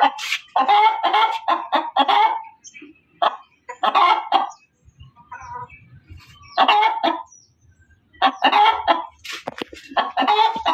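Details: Hen cackling loudly in several separate bouts of rapid, coarse squawks, with quieter stretches and faint low noises between the outbursts.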